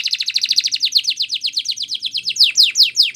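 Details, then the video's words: Belgian canary training song made of a rapid series of falling, slightly buzzy notes, about six per second, growing louder and more sweeping toward the end. "The Most Magical Training Belgian Canary"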